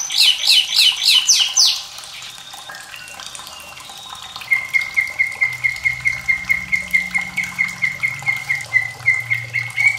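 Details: White-rumped shama song recorded to stimulate singing in young and reluctant birds, with running water: a rapid warbled flurry of high notes, a brief pause, then a steady train of clear piping notes, about four per second, over a faint watery hiss.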